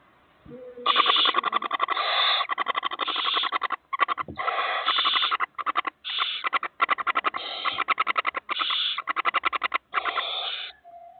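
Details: Barn owl chicks, four of them, calling in a long series of harsh, broadband rasping hisses broken into rapid pulses, with short pauses between bursts, a low tone at the start and end.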